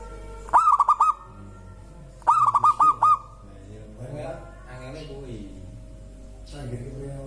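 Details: Local zebra dove singing, a song said to prompt other birds to join in. Two quick phrases of pulsed, rolling coos, each with four or five clipped beats, followed by softer wavering low sounds in the background.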